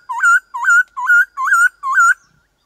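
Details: White-cheeked laughingthrush singing a 'switched-voice' forest-style song, used to stimulate kept birds to sing: five clear whistled phrases, each dipping then rising to a held, slightly wavering note, repeated about every half second, with no other sounds.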